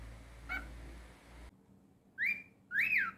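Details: Domestic cockatiel producing two strong whistles, the first rising and the second a longer arched sweep, after a faint note over background hum.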